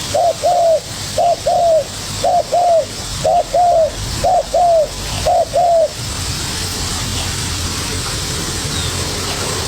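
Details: Spotted dove, young bird responding to a decoy, delivering rapid paired low coos about once a second for six seconds, then falling silent, leaving only background hiss.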